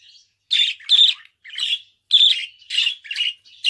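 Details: Pet budgerigar chattering in a series of short, harsh, buzzy chirps and squawks, bursts spaced about half a second apart with brief silences between, no other sounds.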